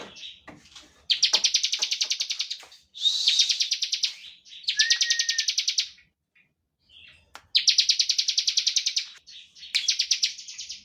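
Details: Energetic bar-winged prinia singing 'ngebren' song to provoke rivals into song. Five bursts of fast pulsed, buzzy trill, one preceded by a low level whistle, separated by short quiet gaps and a few clicks.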